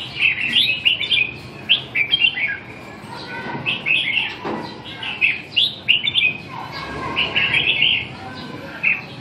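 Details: Red-whiskered bulbul singing: bright, quick whistled phrases of short chirpy notes, delivered in bursts with brief pauses, and a low background hum.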